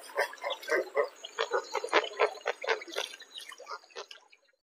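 Roseate spoonbill giving low, gurgling grunts, about four a second, in an uneven run that fades out, over a faint high hiss.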